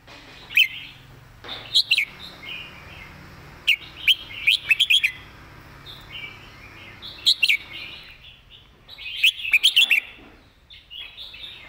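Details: Red-whiskered bulbul giving a clear master song used for teaching birds: bright, warbled whistled phrases in short bursts, several grouped notes around 2 and 4 seconds, then further phrase clusters near 7 and 9–10 seconds, quiet between.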